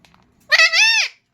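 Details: Pet parrot talking, bye-like words: a loud two-part voiced utterance, a brief harsh syllable then a sustained tonal vowel ending in a downward slide, after soft background murmur.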